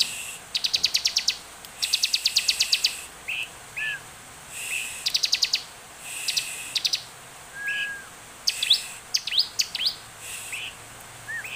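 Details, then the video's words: Bar-winged prinia in energetic song, used as a lure to make other birds sing: bursts of fast, evenly spaced high ticking notes alternate with short rising whistles and a few downslurred notes. "Ciblek gacor penuh emosi cepat dan efektif buat pancingan ciblek agar bunyi"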